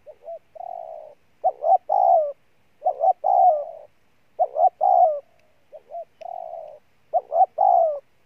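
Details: Spotted dove, a wild-caught bird, cooing continuously. Soft low lead-in coos alternate with louder phrases of two clipped notes and a long, falling, throaty coo, in a rapid repeating series.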